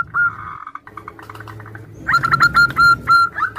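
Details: Female zebra dove calling the male amid answering local doves, a call used to lure birds: clear high notes in quick series, a pause with murmuring, then a run of evenly spaced bright notes.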